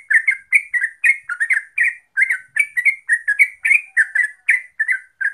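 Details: Lively bubbling song of the yellow-vented bulbul, used as a lure to make birds sing: short warbled notes in quick pairs and triplets, rolling on continuously for over five seconds without other noise.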